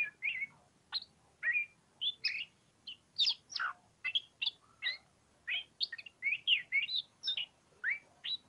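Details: Oriental magpie-robin, called kacer pociku, singing ngobra-style: varied short whistled notes, some rising, others falling or slurred, delivered in separate bursts about every half second against a quiet background.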